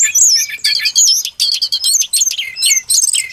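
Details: Brown-chested jungle flycatcher played as a lure for trapping: short bursts of bright, twisting high whistles and chirps, each phrase under half a second, separated by tiny gaps.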